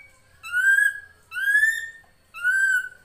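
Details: Drongo, known locally as srigunting krantil, in a full-fill master recording used to train songbirds: three loud, drawn-out whistles, each slightly rising then falling, rich in overtones, about one per second.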